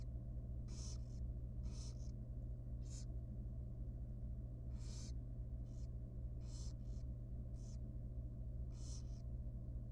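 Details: Wild barn owl chick, super tiny and young, begging in a monitored nest box at feeding time. Rasping, breathy hisses sound roughly every second, some doubled, over a persistent low hum.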